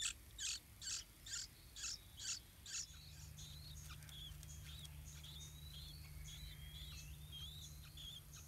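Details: At a yellow-vented bulbul nest where parents feed two big, almost fledged chicks, six loud, high chirps repeat every half second, then stop, followed by softer thin whistled notes and a low steady hum.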